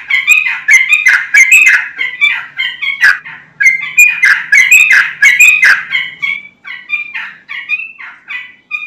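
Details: Energetic song of a sooty-headed bulbul, played to draw answers from other bulbuls: loud tumbling bursts of liquid, chirpy whistles for six seconds, then softer, more spaced phrases trailing off near the end.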